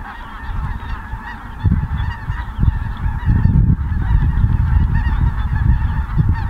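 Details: Ross's geese flying in at Merced National Wildlife Refuge, December 22, 2017. Massed high honking from a big flock continues throughout, partly buried under loud, low rumbling wind or handling noise that swells after the first second.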